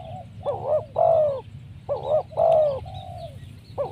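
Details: Spotted dove coo used to lure wild doves for trapping: paired bouncing notes then a longer, loud downward-slurred coo, phrase heard twice with a soft trailing note, over a steady low hum.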